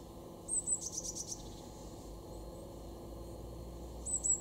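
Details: A Eurasian blue tit in a garden in Weener, East Frisia, northwest Germany, in February 2023 gives very high, thin double notes, then a quick run of softer, fading tsee notes, and the high pair again about three seconds later, over a low rumble.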